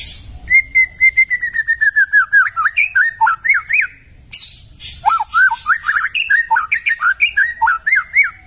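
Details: White-rumped shama from the forest delivering a fast, energetic song: long strings of rapid whistled notes, many sharply upslurred and downslurred, with a brief pause midway before an even busier burst of chattering whistles.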